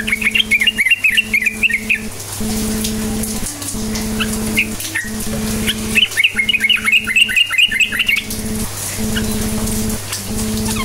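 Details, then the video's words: Lure song of a yellow-vented bulbul, used to get quiet bulbuls singing: two bursts of fast, bubbly chirping notes, each around two seconds long, with a constant droning hum and sharp clicks behind. "Trucukan gacor cukcuk nguplik sangat AMPUH memancing trucuk DIAM jadikan burung NYAUT GACOR"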